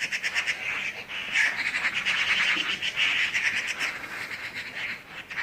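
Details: Birds in Skardu, Baltistan, singing together: a dense, unbroken twittering of high chirps and short trills from many overlapping callers, with no clear pause throughout.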